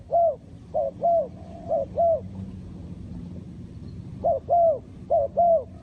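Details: Repeated coo phrases from a spotted dove, paired soft notes with the second longer and arched, given in two bursts separated by a quiet gap, against a faint low hum.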